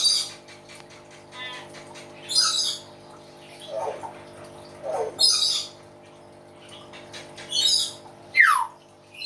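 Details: Common hill myna singing loudly amid noisy background: harsh high bursts, a couple of lower croaking notes, and a final clear descending whistle, against steady hum and hiss.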